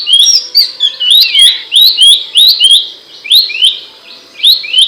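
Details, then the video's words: Training recording for songbirds of an Abbott's babbler's loud, sharp song: dense rising whistled notes follow one another rapidly, sometimes overlapping, with high ticking sounds above them. "Masteran burung pelanduk semak suara nyaring dan tajam"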